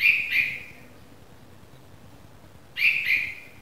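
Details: Newly fledged Red-vented bulbul chick calling: two pairs of short, harsh, rasping chirps, one pair at the start and one near the end, separated by a pause, over a steady low background hiss.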